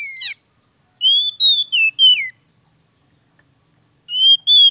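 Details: Oriental magpie-robin song meant to get a non-singing bird going again: a falling note, then a phrase of long clear whistles with downslurs, and a final rising whistle after a pause.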